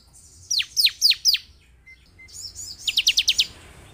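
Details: Lure song of a bar-winged prinia (ciblek) used to provoke a caged bird into singing: four steeply falling high chirps, a quiet gap, then a faster run of five short buzzy notes.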